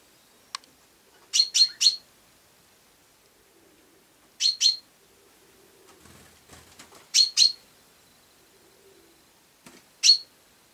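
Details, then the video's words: Sparrow uttering clusters of two to three quick, high chirps at intervals, ending on a single chirp, with faint rustling and low knocks between calls. "Serçe Kuş Sesi"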